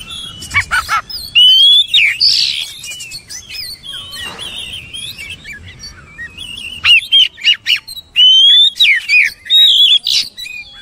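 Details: Oriental magpie-robin giving loud, bright whistled song in separated bursts: sharp rising and dipping slurs and rapid chattering notes, with short silent gaps between phrases.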